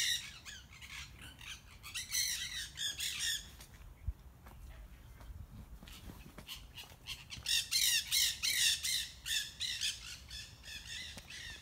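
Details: Noisy parrots up in trees: rapid series of grating, buzzy squawks in bunched volleys, a quieter gap midway, then a louder burst of overlapping harsh calls from several birds.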